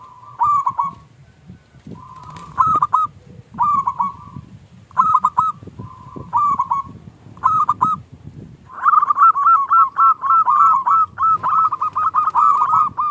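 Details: Lure song of a local zebra dove in the small klung style, meant to provoke other doves to sing: paired cooing phrases at a slow pace over a low rumbling background, then a fast rolling series of notes.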